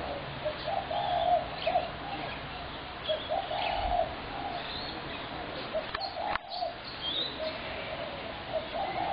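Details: Spotted doves give low, soft, mellow coos in an irregular string of overlapping phrases, described as a horrendous racket, with faint chirping from small birds and a few wing flaps; recorded 21 January 2017.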